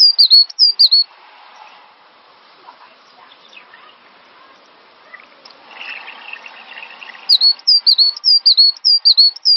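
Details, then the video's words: Cinereous tit, recorded as a training song to get other birds singing. A few high, dipping whistles open, followed by a long stretch of faint rustling and low chatter, then a steady run of about eight sharp, down-slurred notes. "Master Burung Gelatik Batu Full Ngisi"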